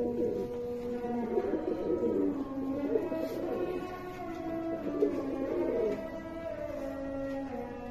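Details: Kept American fantail pigeons from a group of six pairs, cooing in throaty, wavering phrases that repeat every second or so. The birds overlap into a continuous low chorus.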